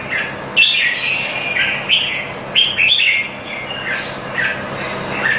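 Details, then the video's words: Red-whiskered bulbul from a singing competition in Singapore, where it won first place: short bright whistled phrases, some sliding up or down, given in bursts about every second over steady background hiss. "Jambul - Fireball 1st win in Singapore"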